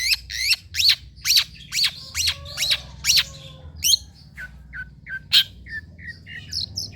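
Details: Long-tailed shrike song for prompting birds that rarely sing: a series of loud upswept notes repeated about every half second, followed by softer short clipped notes and scattered chirps.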